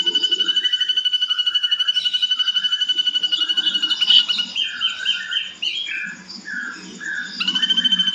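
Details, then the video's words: Ashy drongo in lively, harsh full song, used as a tutor recording for training songbirds: a fast run of clear high notes repeated about four times a second, then varied slurred whistled phrases and rough chatter, ending with the rapid series again. "MASTERAN SRIGUNTING ABU ABU GACOR"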